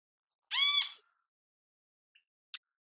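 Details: Great kiskadee in natural habitat giving a single harsh, nasal, arched call of half a second, followed by two faint ticks.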